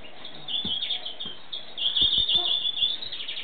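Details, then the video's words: European greenfinch song: a sustained, slightly buzzy high trill running for over a second, preceded by shorter twittering phrases, with soft knocks and low background noise. "chant verdier"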